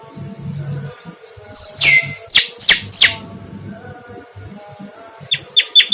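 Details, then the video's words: Mangrove whistler in full song with a long high whistle falling away, several sharp, ringing downslurred notes in quick succession, then soft repeated high whistles near the end, steady low hum throughout. "SUARA BURUNG KANCILAN BAKAU GACOR"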